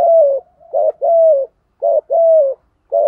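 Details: Spotted dove decoy voice in the Vietnamese 'thổ' style, Thúc Gù, meant to provoke wild birds into cooing. Steady, regular repetition of a short clipped coo followed by a long, level-then-dropping hoot, several times over in clean quiet.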